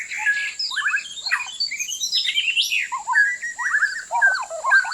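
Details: White-rumped shama song for bird trapping: loud, rich phrases mixing rapid trills, rising slurs and scratchy notes, delivered in quick succession.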